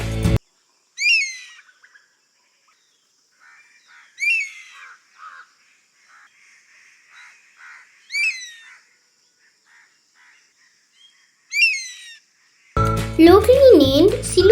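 Crested honey buzzard giving four high, thin whistles that curve and slur, spaced about every four seconds. Faint background chatter and brief music at the start and end.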